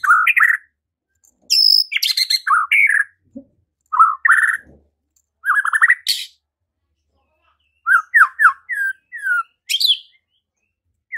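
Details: White-rumped shama singing in response to a lure recording meant to provoke singing and fighting; varied loud phrases of slurred whistles, rapid rising notes and harsh high buzzy bursts, separated by short silences.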